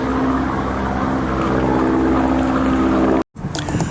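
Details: A steady droning motor hum with low harmonics fills the recording, broken by a brief cut near the end; no animal voice is heard.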